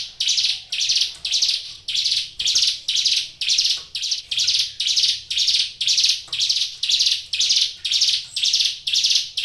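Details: Hill Prinia in a cage, singing energetically. It gives a long, steady chain of hoarse buzzy notes, close to two each second, each with a slightly fading tail.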